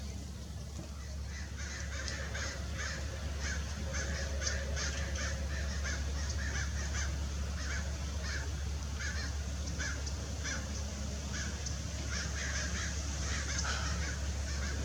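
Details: Adult Lewis's woodpecker at Irvine Regional Park, Orange, California, on December 6, 2021: long run of harsh, rasping notes repeated rapidly, about two or three per second, over a constant low rumble of traffic or wind.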